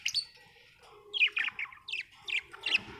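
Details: Happy budgie chattering: a string of short, quick chirps and twittery rising-falling notes, fairly soft, with a steady low background murmur.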